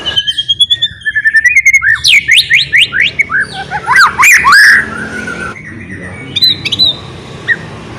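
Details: White-rumped shama song used to prompt other shamas to sing: rapid series of rising whistled and slurred notes, some sweeping and rich, loud and varied, ending in a few softer high whistles.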